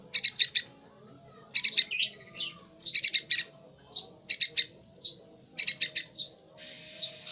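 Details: Young yellow-vented bulbul learning its song, uttering rapid groups of high, bright chirps and single notes in an uneven rhythm, ending with a longer buzzy, trilled note; the background is quiet.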